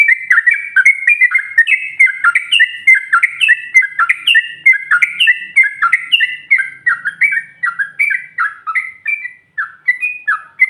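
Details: Female sooty-headed bulbul (trucukan) heard provoking rivals: a long, unbroken stream of loud, slurred, whistled notes rising and falling in quick succession, about three per second.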